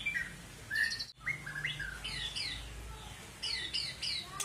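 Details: Long-tailed Medan white-rumped shama singing clear whistled notes, short slurred phrases and bursts of rapid descending notes in groups of three, over a noisy background.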